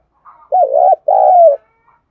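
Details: Spotted dove decoy calling, kept as a lure to draw in wild doves, in the thúc and calling-coo styles; a faint short note leads into one low cooing phrase of two hoarse, slightly wavering coos, the second longer and gently falling.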